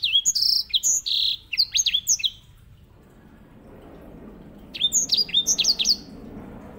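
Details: White-rumped seedeater, a small finch kept as master singer for canaries; quick high chirps and downward-slurred whistles in two bursts separated by a long quiet stretch.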